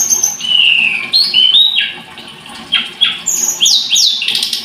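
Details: High, thin song of a blood-breasted flowerpecker (tledekan gunung). Smooth whistled slurs are followed by a cluster of sharp, falling chip notes.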